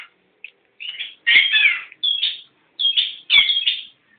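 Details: Newly caught Long-tailed Shrike (pentet anyaran) uttering a few short clipped notes, then longer rasping, buzzy phrases separated by short silences.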